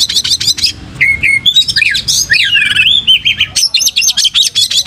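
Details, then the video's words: Oriental magpie-robin, energetic singing used as a lure recording, bird spreading its tail: loud, varied, high whistled phrases with rising and falling slurs, ending in a rapid series of short repeated notes. "pancing Kacer gacor buka ekor"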